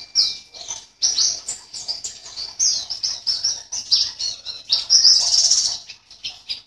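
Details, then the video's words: A caged white-eye entered in an online bird-singing contest sings a fast, high, jumbled twitter of thin chirps and trills in bursts, with brief pauses, almost without stopping. "LOMBA PLECI ONLINE"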